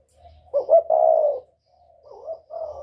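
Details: Northern whistle-voiced spotted dove used for provoking wild doves gives one loud phrase, a stuttering pair of notes into a sustained mellow coo, then a quieter wavering coo and the start of another.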